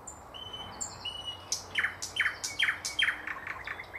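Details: Thrush nightingale, 2024: soft high whistles open the phrase, then a run of loud, sharp downslurred notes repeated about three times per second.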